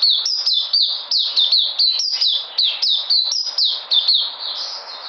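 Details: White-eye song, 13 February 2020: crisp, high, downward-sweeping notes delivered in a quick, even series of about three a second, each note sharply struck, with a slight trailing warble at the end.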